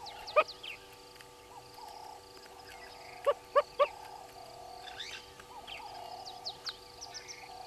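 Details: Southern red-billed hornbill, wild, below a camera at Gowrie dam waterhole, Djuma Game Reserve, Sabi Sand Wildtuin, South Africa: short hollow clucking notes, one early and then three evenly spaced, with steady humming drones and faint chirps of other birds behind.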